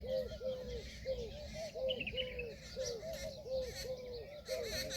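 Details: An Indian peafowl peahen gives a steady run of short, nasal, arched honks, about two a second, while small birds chirp higher up and a low background rumble continues.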